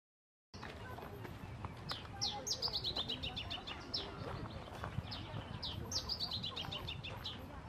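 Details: A male Masked Yellowthroat singing at Reserva Ecológica Costanera Sur, Buenos Aires, on 1 October 2022: two quick bursts of high, bright, down-slurred notes, several per second, over a steady low rumble.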